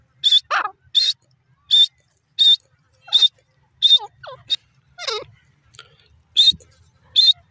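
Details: Grey francolin (desi teetar) uttering a long series of shrill, evenly spaced high notes, joined midway by softer downward-swooping whistled notes, then resuming the sharp repeated calls.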